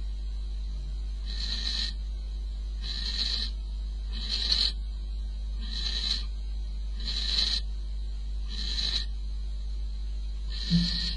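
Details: Barn owl pair at the nest, 22 May at 04:45, male feeding his mate prey; seven evenly spaced wheezing, snore-like hisses about every 1.5 seconds, a faint knock at the end and low droning hum throughout.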